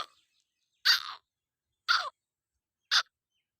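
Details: Black francolin, known locally as kala tetar: three short, harsh, rasping notes spaced about one second apart, each a grating burst, with silence between them.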